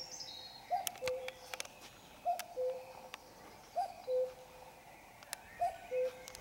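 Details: Pre-dawn Sunday song of a common cuckoo at 5 a.m.: four soft two-note cu-coo calls about 1.5 seconds apart, dropping in pitch, with scattered clicks and faint high bird notes.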